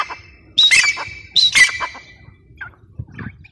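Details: Grey francolin giving two loud, shrill, rising whistled phrases about a second apart, each followed by a drawn-out ringing tone, then faint softer notes and a quiet background.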